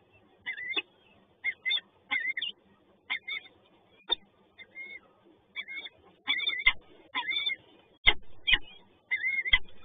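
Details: Feeding-time begging of peregrine falcon chicks in Toruń, Poland: insistent high, wavering screeches repeated about twice a second, some notes bending up and down, over faint low rumble.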